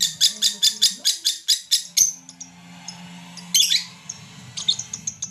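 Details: Mentil lovebird from Garut, Indonesia, calling as a lure to provoke other lovebirds: a fast run of about nine sharp, harsh chirps in two seconds, a quieter pause with low hum, then a loud squawking burst and scattered chirps.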